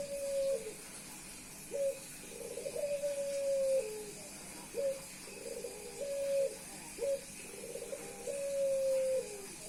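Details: Male Puter Pelung dove meeting a female and cooing without pause to show off to her: about six low cooing phrases, some short and clipped, others drawn into a long steady note that drops slightly at the end, with gaps between them.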